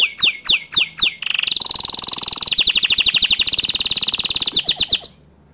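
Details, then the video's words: Atlantic canary song meant to provoke other canaries to sing: opening loud swooping notes repeated, then long rapid rattling trills held at a steady high pitch, shifting slightly in tone before stopping abruptly. "Kenari Lain Pasti Emosi Dengar Kicau Kenari Ini Dan Auto Ikut Gacor Dor Juga"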